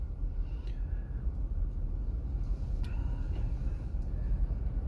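Steady low rumble of wind or distant traffic with a few faint clicks, and no animal voice.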